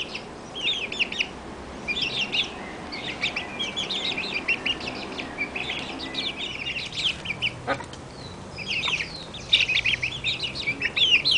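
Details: One-month-old Barred Plymouth Rock chicks calling: clusters of high, thin peeping chirps repeated in short bursts throughout, several birds overlapping, with occasional soft rustles and faint background hiss.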